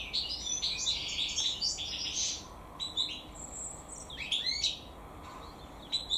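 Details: Naturally bred European goldfinch (maknin, hassoun) singing bright, high, jumbled twitters. Dense tinkling phrases come first, then a pause, then a fresh burst of liquid chirps and sweeps over constant background hiss.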